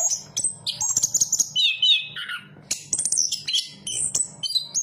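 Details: Chestnut-capped thrush in full song, mixing high piercing whistles with a longer descending slurred phrase near the middle, then quick chips and upward-jumping notes, against a low background hum.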